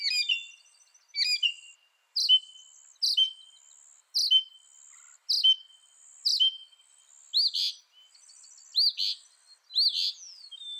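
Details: Mockingbird giving sharp high notes followed by short whistled tails, repeated steadily, then changing to looping rising and falling whistled notes, with faint insect hum behind.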